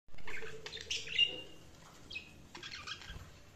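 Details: Tame pet cockatiel giving a few short chirps: a harsh burst at the start, a bright whistled note near one second, then scattered quieter chirps with low background rumble.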